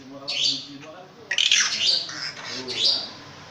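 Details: Long-tailed shrike, kept caged and noted for a very big voice, singing a jumble of rasping squawks and sliding scratchy notes, with a sharp click and faint low voices or hum behind.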